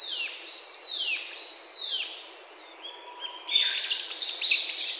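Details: At a Japanese satoyama bird-survey site, a Brown-eared Bulbul gives loud, arching pee-pee whistled calls that rise then slur down, three in two seconds, followed by a burst of thin, high chirps from other small birds.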